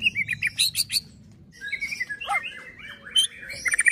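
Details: A white-rumped shama gives a fighter-style song meant to provoke other shamas: rich, varied whistles, a quick run of bright rising notes, then slurred, fluty phrases over a low background hum.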